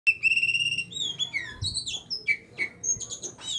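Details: Oriental magpie-robin, an Aceh bird being trained, singing a varied series of clear whistled notes and sliding phrases, some rising and some falling, with a few short chips near the end.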